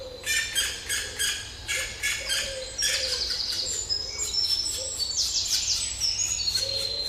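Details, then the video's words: Woodpecker nestlings begging as their mother brings food: loud, rapid, buzzy broadband bursts in a quick series, then thin high whistled squeaks mixed with softer scratchy notes, plus faint low tonal blips. "Woodpecker Bird mother feeding thier cute little hungry chicks"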